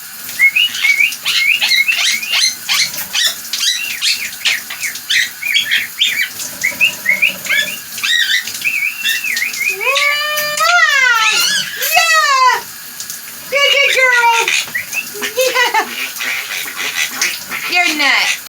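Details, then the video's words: Pet female quaker parrot being loud while sitting on her shower perch indoors: a fast run of sharp, high chirps for about nine seconds, then longer wavering, rising-and-falling squawky calls in short bursts, with small-room echo. "my quaker parrot being a loud cutie on her shower perch"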